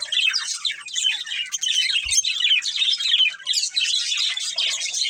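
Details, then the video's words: Chirping budgerigars, a breeding pair, produce clear, rapid high warbling twitters in bursts with short dips, plus a single low knock about two seconds in. "Beautiful Budgies Chirping Sounds"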